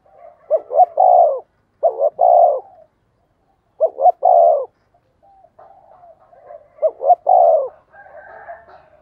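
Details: Decoy spotted dove calling insistently to attract wild doves: four rhythmic coo phrases, brief double notes then a longer warm note, with faint chirpy sounds near the end.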